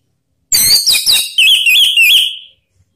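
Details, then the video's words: Orange-headed thrush voice used to coax other birds to sing along. A single loud phrase of several bright notes leads into a wavering, warbled trill that lasts about one and a half seconds. "Suara Panggilan ANIS MERAH biar ikut berkicau Ngeplong"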